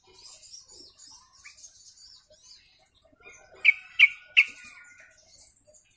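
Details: Sooty-headed bulbul flock chatter (ombyokan) played as a lure: faint scattered high chirps, then three loud sharp notes in quick succession near the middle, with a thin steady whistle running beneath.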